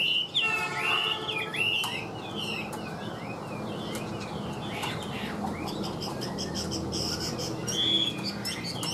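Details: Chinese hwamei kept in a cage, opening with a burst of rich looping whistles and quick slurred notes, then falling to sparse soft notes over steady low room noise, a brief clear whistle near the end.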